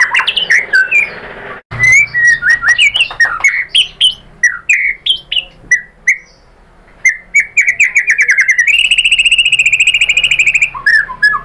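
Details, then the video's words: White-rumped shama singing as a lure to spur rivals into bursts of song. Many varied slurred whistles and chirps rise and dip, ending in a long, fast, buzzy trill held at one pitch. "pancingan MURAI BATU agar bongkar materi TEMBAKAN"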